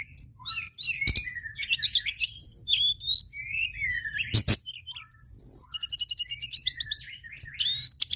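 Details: Long, rapid outpouring of white-browed shortwing song, meant to provoke other birds: dense varied whistles, slurs, sharp clicks and chattering trills follow one another almost without pause.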